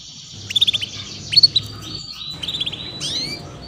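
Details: Female canary 'cuit cuit' chirps used to get young canaries singing; two quick runs of crisp, high, pulsing chirps, then softer twittering and a rising slurred note near the end.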